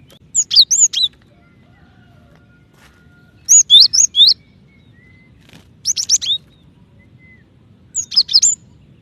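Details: Cinereous tit female calling her mate, a call said to make other tits call faster; four evenly spaced bursts of rapid, high, sharp chirping notes, roughly every two and a half seconds.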